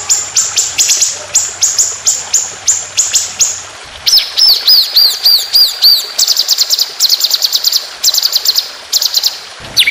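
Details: White-rumped shama tutoring song of long, fast rolling 'tembakan' phrases for competition birds. A steady series of sharp downslurred notes leads into a whistled wavering phrase, then bursts of rapid high chips.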